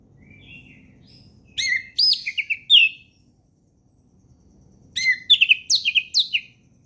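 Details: Orange-headed thrush singing calm ngeplong song in the forest, meant to teach young birds. Two phrases of looping, bright whistled notes, each lasting about a second and a half, are separated by a short gap over soft low noise.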